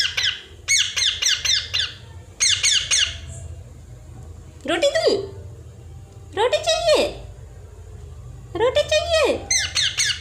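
A parrot gives bursts of quick, scratchy chattering notes, then three loud, harsh, rising-and-falling squawks about two seconds apart. A faint indoor hum lies underneath.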